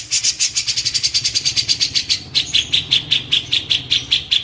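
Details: Cililin song, a recording suited as a tutor for white-rumped shamas: a fast run of sharp, high chirps repeated about twice a second, steadying into even notes, over a low engine hum.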